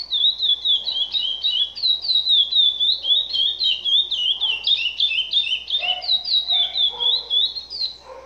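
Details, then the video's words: Captive-bred chestnut-bellied seed finch (curió) from Brazil in full song: rapid rolling whistled notes repeated about four times a second, bouncing between high and slightly lower pitches, with a few softer low notes near the end. "CURIÓ SINATRA"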